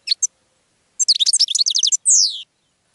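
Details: Goldfinch song: two quick high chips, then a rapid run of liquid twittered notes lasting about a second, ending in a drawn-out, buzzy, descending note.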